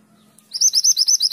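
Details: Mantenan gunung singing energetically, a master recording for training songbirds: a rapid run of high, thin, sharp 'tulit' notes, about seven in under a second, with a faint low hum before the song begins.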